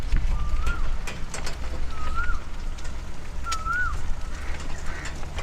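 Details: An Asian koel in the near-deserted, tended gardens of Forest City, Johor, gives three clear, rising whistled notes, about one and a half seconds apart, a seasonal mating call per a viewer, over steady low wind rumble.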